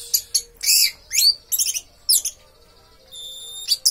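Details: Kept orange-headed thrush delivering a broken series of loud, high, slurred phrases and rising whistles. The phrases are separated by brief gaps and the run ends in a steady, thin whistle.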